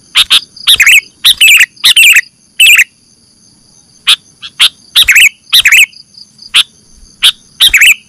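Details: Sooty-headed bulbul, or kutilang, as a bird-catching lure: loud chirping bursts in groups of three or four, then a pause and single sharp notes, over a steady high hum.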